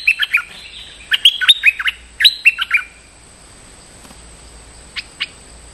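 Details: Stripe-throated bulbul played as a lure to call a territorial resident bird: dense clusters of bright whistled notes over the first three seconds, then quiet, then two faint short notes.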